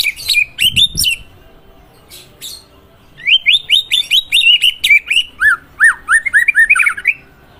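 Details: White-rumped shama (murai batu) song phrases: rapid repeated whistled notes in a steady series, followed by a string of loud, falling slurred notes, repeated many times with short gaps.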